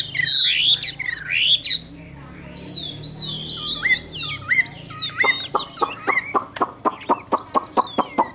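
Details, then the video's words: Caged hwamei in Vietnam, described as singing well. Harsh, squawky phrases come first, then a pause, a few wavering whistles, and a steady series of sharp, evenly spaced notes about twice a second. "Họa Mi Dáng Dấp Bóng Bộ Đẹp, Hót Tốt Giọng Hay"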